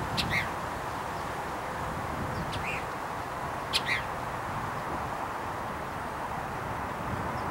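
A Western Kingbird gives three sharp, brief kip notes, spaced irregularly a second or more apart, over a steady low rumble of wind or distant traffic.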